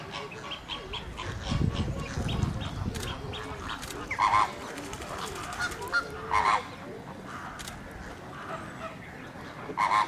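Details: Magpie geese at Slimbridge, a few short honking calls around four, six and ten seconds over a background of other waterfowl chatter and low rumble.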